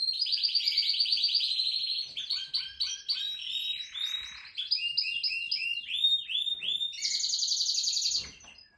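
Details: Canary with a long, varied song: a rapid high trill, jumbled chirped notes, a buzzy dip, then another bright fast trill before fading.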